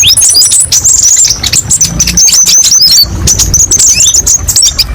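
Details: Kolibri ninja sunbird singing in quick, piercing bursts: thin whistled notes, fast chips and dropping slurs run together, with a short break around the three-second mark.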